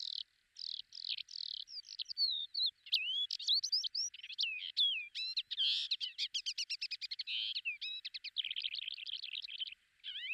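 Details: A lesser short-toed lark at Belchite, Zaragoza, Spain, in July 2019 pours out a fast, varied stream of high chirps, slurred whistles and dry trills, with no pauses for about ten seconds.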